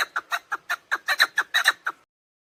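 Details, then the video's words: Short burst of around a dozen raspy clucks from a female chukar partridge, used by hunters to lure birds, some notes doubled, lasting two seconds before falling silent. "Dişi keklik sesi, صدای کبک ماده برای شکار"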